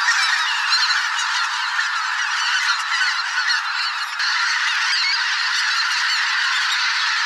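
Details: Migrating geese by the thousand in a spring swamp, a mixed flock of greater white-fronted, bean, barnacle and pink-footed geese, giving a dense, continuous honking chorus with a brief dip in loudness midway.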